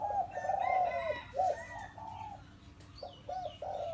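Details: Four-year-old hybrid zebra dove decoy bird of penyat style, its inner- and outer-ring call heard as a run of rolling, trilled coos that break into short separate notes, a higher chirp from another bird near the end.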